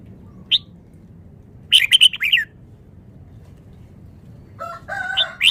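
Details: A caged red-whiskered bulbul, a Vietnamese bird, sings with a lone sharp note, then a quick cluster of bright chirps after a pause, and finally a lower warbling phrase.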